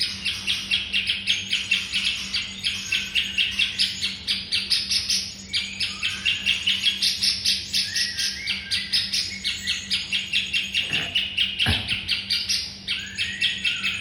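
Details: White-rumped shama master song for training songbirds: a long, busy run of rapid high chattering and ticking notes mixed with brief whistled slurs, continuous and varied, over a steady low hum.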